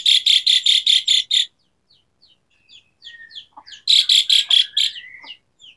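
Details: Asian pied starling song used as a training lure, a varied, richly filled song: a burst of seven harsh buzzy notes, scattered whistles and chips, a low rising whistle, then another harsh buzzy burst ending in a long whistle.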